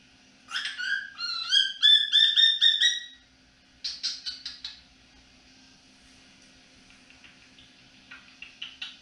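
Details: A male cockatiel, hatched November 2022, whistles peek-a-boo and other tunes in the evening: a rapid run of clear, rising, bright ringing notes, then a burst of sharper chirps and a few softer calls.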